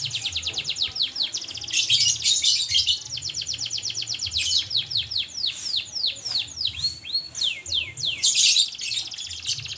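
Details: Canary singing energetically: loud, fast rolling trills and rapid descending whistled sweeps, alternating with bursts of harsh dense chatter, continuous throughout; faint low hum underneath.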